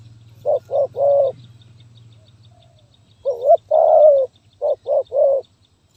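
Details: Spotted dove singing in a stuttering 'gagap tindan' (sepatah) style, recorded 23 January 2022: two phrases of three deep coos each, the middle coo of the second phrase drawn out and wavering, over a faint low hum.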